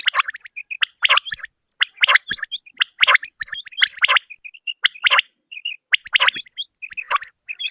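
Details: Common quail hen calling, a sound used by hunters: a steady run of gritty chirp bursts near once per second, each followed by small high piping notes, in an otherwise quiet setting.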